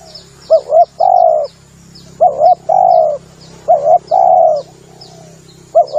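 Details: Spotted dove coos for trapping lure: three double-note-and-long-coo phrases plus the start of a fourth, with repeated faint high chirps and a steady low hum in the background.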